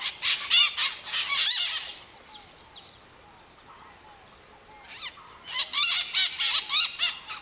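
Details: Maritacas, Brazilian parrots that call to keep in touch with the flock, scream in two loud volleys of rapid harsh shrieks separated by a few seconds of softer squeaks and short rising notes.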